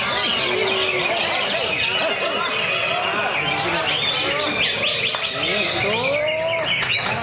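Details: Caged greater green leafbird in a small lovebird cage, in ngentrok full-isian style with tight, quavering bursts; rapid overlapping whistles, warbles and short chirps run nonstop, with some rising slurred notes near the end.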